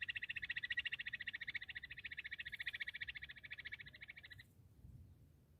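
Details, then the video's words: Bush quail giving a fast, high, pulsed trill, described as a hunting call, that fades slightly and then stops abruptly, leaving only a faint low background rumble. "Amazing quail sound 👌 full girenti sound || battair shikar awaaz 🎶 Bush quail sound check"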